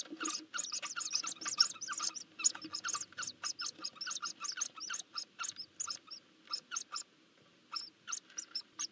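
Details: Hoopoe nestlings in Nagyberény, Hungary, begging as they are fed in June 2024; quick series of harsh, sibilant high chirps, crowded at first, then thinning into spaced pairs near the end.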